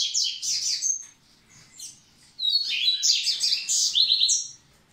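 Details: Double-collared seedeater singing to get the females ready for breeding: a burst of rapid high twittering, a pause of over a second, then a longer run of sweet, varied chirps and slurred whistles.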